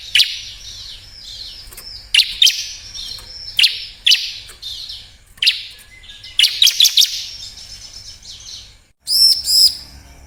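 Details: A bar-winged prinia song meant to provoke silent birds into singing: clusters of shrill, high chirps every one to two seconds, a brief pause, then a final ringing burst.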